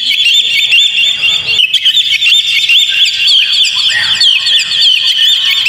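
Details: Oriental magpie-robin singing as a lure for a kept bird: a continuous chatter of quick rising and falling whistled notes, with a short break and fresh onset near two seconds, then an even, rapid flow.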